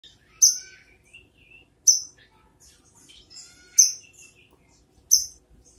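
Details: Brown-throated sunbird giving sharp high chips roughly every one and a half seconds, each a bright downward-slurred note, with soft thin twitters from other small birds between.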